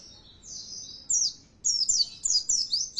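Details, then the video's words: Oriental white-eye lure song meant to stir a kept bird into louder, more persistent singing: a thin high trill followed by rapid sharp twittering phrases with brief pauses. "Nyaut Pleci Kalian Di Rumah Bila Dengar Suara Pancingan Ini"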